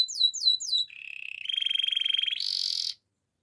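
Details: Russian canary singing quick downslurred notes followed by a low buzzy roll, a pulsed trill at mid pitch and a higher bright trill that ends abruptly.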